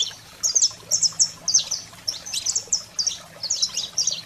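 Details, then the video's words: Song of a saffron finch meant to fire up pet canaries: spaced bursts of piercing high chirps and buzzy slurs roughly every half second, a soft low electrical-like hum in the background. "Canário-da-terra Fogo Selvagem para Estimular a Fibra e Foguear seu Canário em Minutos"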